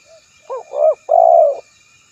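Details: Spotted dove cooing: a faint short note, then a quick double-hooked coo, an arched coo and a long, level, drawn-out coo, all mellow and low-pitched in a quiet setting.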